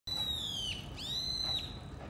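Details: A Brown-eared bulbul, one of a nesting pair with the nest likely nearby, loudly calls to threaten a crow, giving two long, high, piercing whistled notes, the first sliding slightly down, the second swooping up then holding, over a low rumble; May 20.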